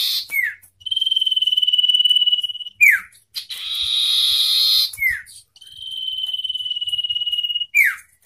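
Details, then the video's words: Wild and hand-raised common ioras compete in a loud song duel: sustained high rattling trills several seconds long, each ending in a quick falling whistle, with a harsher, noisier burst in the middle. "Adu Suara Kencang - Sirtu Hutan dengan Sirtu Rawatan Tarung Gacor"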